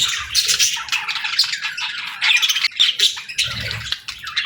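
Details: Budgerigars chirping and squawking in uneven bursts, bright warbled notes and sharp squawks separated by brief gaps.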